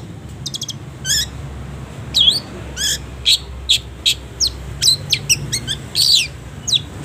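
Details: Long-tailed shrike song used to tutor caged birds, full of pauses: a quick ticking trill, then spaced sharp chirps and scratchy buzzy notes repeated roughly once a second, against a low background hum.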